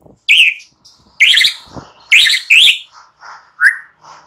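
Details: Morning lure song of a white-rumped shama used to rouse silent birds into singing: loud, rich whistled phrases separated by brief gaps, with softer twittering notes between them.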